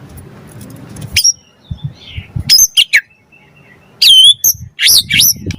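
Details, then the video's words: White-rumped shama singing to provoke other birds into song: scattered loud phrases of sharp high sweeping notes, short bursts separated by pauses, with faint low rumbling in the background. "Pancingan Murai Batu Langsung Nyaut Auto Bunyi Cpt Gacor Full Isian Buat Masteran Suara Burung Murai"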